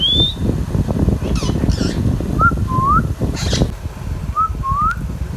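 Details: Pet Indian ringneck parrot: a high rising whistle, harsh raspy squawks, then a two-part swooping whistle heard twice, about two seconds apart, over low background noise.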